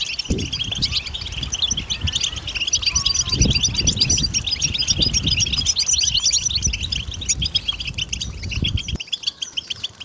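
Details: A European goldfinch pours out busy twittering song, quick high tinkling notes and buzzy trills, for use as a lure in hunting; low thuds and rustling beneath, ending abruptly near the close.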